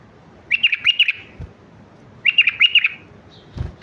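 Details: Mandali-type bulbul, song played to teach chicks: two bright, bubbling phrases of quick warbled notes, each about half a second long, separated by a pause, with a soft knock near the end.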